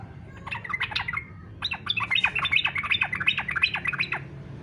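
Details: Yellow-vented bulbul singing in fighter style, used to prompt other bulbuls to sing: rapid, busy bursts of chattering, bubbly notes, a brief pause after the first second, then dense chirping phrases over a low steady hum.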